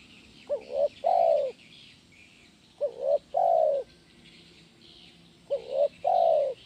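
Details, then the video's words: Spotted dove in the 'kuk 1' song style, used for training doves; three matching coo phrases roughly every two and a half seconds, each a short wavering note, then a louder sustained coo that slurs downward. "SUARA BURUNG TEKUKUR KUK 1 GACOR"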